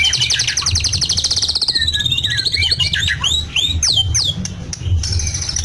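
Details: Medan-type white-rumped shama kept caged in Blora sings copied lovebird, canary and cililin phrases: a dense high buzzing trill sliding downward, then loud looping whistled swoops and sharp squeaks.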